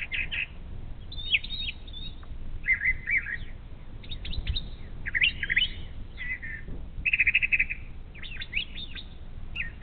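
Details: Morning song of a brown thrasher near a Bald Eagle nest on Ohio's Little Miami River: loud, varied chirping and slurred phrases delivered in quick succession with short gaps, some notes buzzy or trilled, against constant low background hum.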